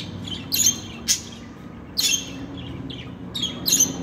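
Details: Budgerigars kept as pets call in short scratchy chirps, singly or in close pairs, roughly every second, against a soft background hum.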